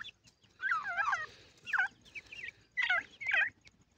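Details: Francolin, with chicks mentioned. Harsh, cackling calls sweeping between mid and high pitch in short bursts: a long rough phrase near the start, then several shorter bursts spaced about half a second to a second apart over a quiet background.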